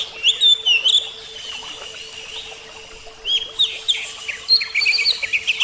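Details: Caged oriental magpie-robin of the Javan type in song, brief whistled and chattering bursts with rising slurs, a quieter pause, then more rapid varied notes; a steady low hum continues beneath.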